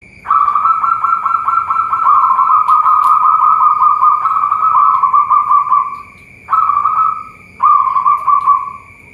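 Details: Local zebra dove at a bird farm in Boyolali, Central Java, giving a rapid trilled, warbling coo near one pitch: one long phrase of about six seconds fading downward, then two short phrases; a steady high electronic-like tone hums throughout.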